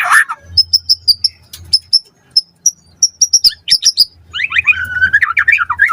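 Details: White-rumped shama singing a lure song to prompt a response: evenly spaced high thin chips, then a rapid warbling tumble of varied notes, with a faint low hum.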